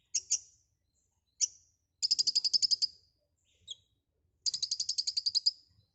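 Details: White-rumped shama in lively 'gacor full isian' song: isolated high sharp notes, then a rapid series of about a dozen buzzy chirps, a lone whistle, and a second fast chattering burst.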